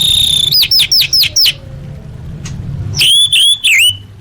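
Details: Orange-headed thrush master song with full fill-ins for big competitions: five clear whistled notes dropping in pitch, a pause, then looping high whistles, over a soft low hum.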